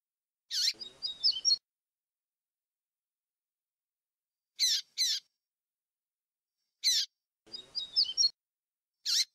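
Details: Double-collared seedeater giving its fluted 'grego' song, noise-reduced, for training young birds; two short warbled phrases of high whistled notes, each introduced by a sharp chip, with further single and paired chips between.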